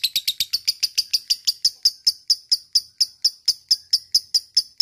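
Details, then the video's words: Lovebird, from a recording meant to excite other lovebirds into long ngekek trilling; a slower series of sharp, clipped high chirps, roughly four each second, evenly spaced and steady throughout. "Pendongkrak mental lovebird cepat naik EMOSI dan langsung jadi ngekek panjang berkat lovebird ini"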